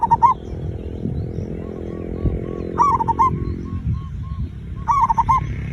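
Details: Zebra dove song used as a lure to get other birds singing quickly: three short bursts of mellow cooing trills, each a quick run of soft notes, spaced about two and a half seconds apart over a steady low rumbling background.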